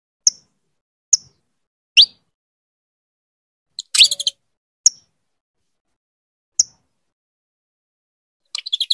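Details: Hen saffron finch calling her mate to breed, spaced single high chips and upslurs about once every second or two, broken by a brief raspy chatter burst and another at the end.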